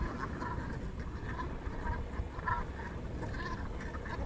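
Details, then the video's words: Black Brant (dark-bellied brent goose) at Moddergat, Netherlands, on 15 March 2016, giving low, rolling, guttural calls, several overlapping in a steady murmur, over heavy wind rumble. "Zwarte rotgans"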